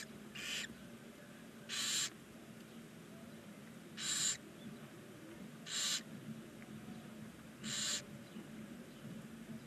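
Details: Nine barn owl chicks, day 19, in a nest box on the side of a chimney in Ságvár, Hungary; harsh broadband hissing wheezes, five bursts roughly every two seconds, over a low steady background hum.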